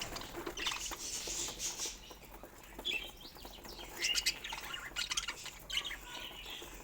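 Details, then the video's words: Pet budgerigars chattering with soft warbled phrases and scattered sharp chirps, getting busier around the middle, over a faint low background. "Relax With These Soft Budgie Chirping Sounds"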